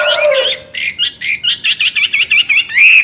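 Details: Chinese hwamei song: a low drawn whistle under warbled notes, then a run of about ten evenly spaced, bright, bouncing notes, ending in a long rising whistle.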